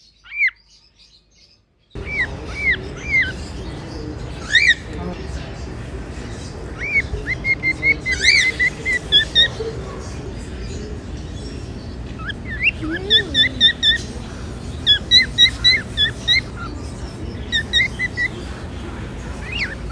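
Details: Two Cockatiels give bright, bending whistled calls and chirps, several in quick runs.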